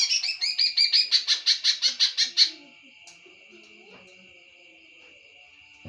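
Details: Greater green leafbird giving a long even series of about fourteen sharp, grating notes at a steady fast pace. They stop abruptly, leaving a continuous thin high-pitched whine.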